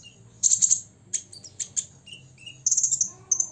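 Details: Olive-backed sunbird, six years old, in rival-provoking song: quick bursts of very high buzzy rattles alternating with short thin whistles, a faint low hum underneath.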